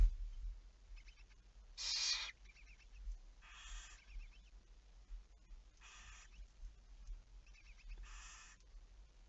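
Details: Barn owl on 11 May 2019 at 23:34, four rasping hisses spaced about two seconds apart, the first loudest, with faint chattering clicks between them and a low background rumble.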